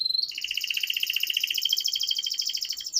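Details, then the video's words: Canary trill, softer than usual: a continuous rolling stream of fast, pulsed high notes lasting about three seconds, opening with a clear whistle and ending on a sharp flick. "Pancingan Kenari Paud Agar Cepat Bunyi || MASTERAN Burung KENARI Gacor Panjang"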